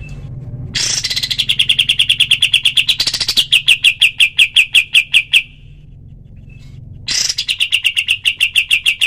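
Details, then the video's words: Kapas tembak (pied triller) training recording: three long rapid volleys of ringing chirps, each opening with a harsh burst and then settling into an even beat, separated by short quiet gaps. "masteran kapas tembak full tembakan suara asli dan jernih"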